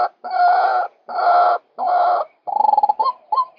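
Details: Male White-breasted waterhen call recorded for luring birds: harsh, broad croaking notes, three long ones about half a second each, then a rapid rattling burst and two short clipped notes.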